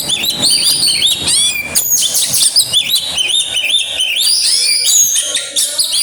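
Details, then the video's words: Oriental magpie-robin singing an aggressive, varied song with mimicry: rapid high whistles, rising and falling slurs and sharp chirps packed tightly together, loud and clear with little background. "burung kacer grabakan keluar isian"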